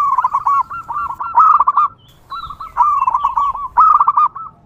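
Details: Wild local zebra dove singing, a recording meant to lure other zebra doves: quick runs of soft, staccato, mid-pitched cooing notes in bursts about a second long with short pauses between.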